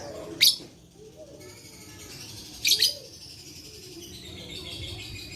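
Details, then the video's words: Shrill lovebird chirps, meant to stimulate other lovebirds to sing: a sharp single burst, then a double burst two seconds later, with a faint high warbling chatter running underneath. "Terapi Lovebird Malas Bunyi Cocok Untuk Memancing Bunyi Semua Love Bird"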